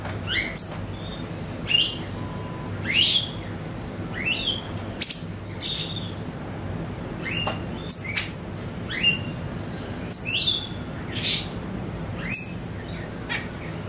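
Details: Siri-siri song played as a lure for songbirds: a lively series of quick, sweeping, whistled notes, many sliding down in pitch, delivered in clusters every second or so, with a faint high dotted trill behind.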